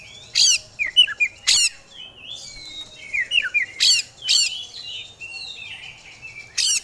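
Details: Oriental magpie-robin (kacer) in full gacor song displaying isian fill-ins: rapid chattering, harsh scratchy bursts alternating with sweet slurred whistles and short buzzy phrases, delivered about twice per second.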